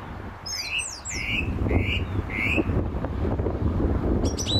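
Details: Song thrush singing at a gravel pit near St Albans, England, May 2012: four loud rising whistled notes delivered in a repeated series, followed by a brief high twitter, with a continuous low rumble beneath.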